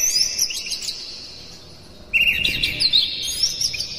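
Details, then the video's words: Oriental magpie-robin (kacer) bait song meant to rouse other kacer into singing; a burst of quick high chirps and whistles, then a quiet gap of about a second before a second rapid, warbling phrase. "Suara PANCINGAN KACER paling gacor KONSLET Buka Ekor bongkar MATERI KERAS PADAT agar KACER emosi"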